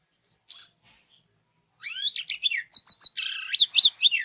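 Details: Orange-headed thrush song used to lure other orange-headed thrushes into singing: one short chirp, a pause, then a fast run of varied whistled notes with rising and falling slurs repeated several times per second.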